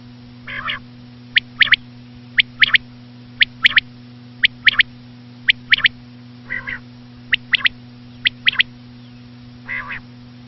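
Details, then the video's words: Female common quail calling: sharp, high clicking notes in quick pairs and triplets, broken by softer rasping calls about once a second, over a steady low hum. "common quail.quail sound effect.batair ki Awaz.Звук самки перепела.صدای بلدرچین ۔.बटेर की आवाज"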